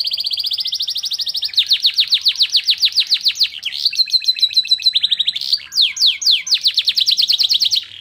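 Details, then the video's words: Canary song laced with white-eye (pleci) material to stir excitement; long, loud, very rapid trills of high swept notes, shifting through several trill patterns with a brief break in the middle. "Burung kenari bocor materi pleci untuk menaikan emosi"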